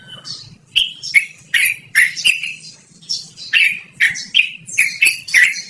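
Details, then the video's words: Yellow-vented bulbul in loud rolling song, used as a lure or tutor recording: a rapid run of sharp, chattering phrases about two to three a second after a softer opening, over faint low background hum. "BURUNG TRUCUKAN GACORR NGEROL DURASI PANJANG"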